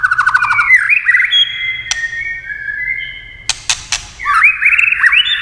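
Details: White-rumped shama song prompted by tail-tapping: opening rapid stuttered trill, then long level whistles and rising slurred notes, broken by a few sharp clacks.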